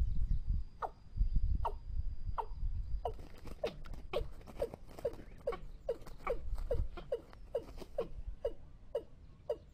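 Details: Calls of a Watercock played as a trapping lure: an even run of short falling notes, speeding to roughly two or three per second, with low rumbling noise and crackle beneath.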